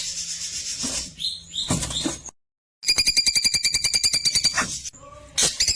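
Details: Klewer song recorded for training white-rumped shamas: scratchy chirps, a short silence, then a steady rattling series of bright buzzy notes, ending with faint low whistles and a sharp call.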